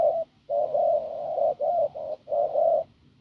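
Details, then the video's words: Strong, husky-voiced spotted dove caught in the fields, its low coos running long and nearly continuous, broken into a few drawn-out phrases over three seconds. "Bổi đồng khàn cứng gù"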